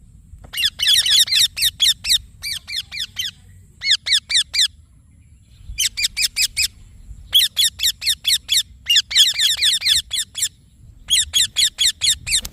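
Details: Indian ringneck parakeet chirping: bursts of sharp, high, downslurred shrieky notes repeated rapidly in rows of four to eight, separated by short pauses, over a low steady background rumble.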